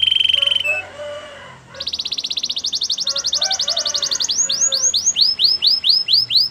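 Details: Canary training song: a short flat note and soft low murmuring, then a long fast buzzy trill of even syllables, moving into loud down-slurred whistles about two per second.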